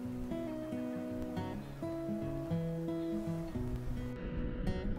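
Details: Plucked and strummed acoustic guitar music plays throughout, with no animal voices.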